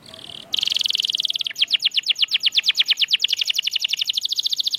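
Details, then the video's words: Caged canary song meant to prompt mute canaries to sing: a brief buzzy note, then a long fast trill of clipped repeated notes that slows into distinct downslurred pulses, with faint background hiss. "Kenari Gacor‼️Masteran Handal Pancingan Burung Bisu Agar Cepat Gacor Lagi"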